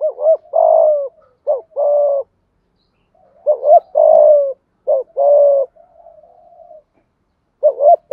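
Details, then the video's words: Thổ-voiced spotted dove kept as a decoy for wild doves, cooing in hoarse repeated phrases: quick stuttered double notes leading into long level coos, with brief pauses between them. "Chim cu gáy thúc gù bài bản giúp bổi nghe xiêng gáy và mau lên mồi"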